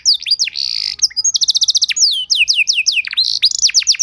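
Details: Canary lure and training song: a buzzy sustained phrase, then a rapid pulsed trill of about twelve notes, followed by rolling falling whistles and short harsh buzzes.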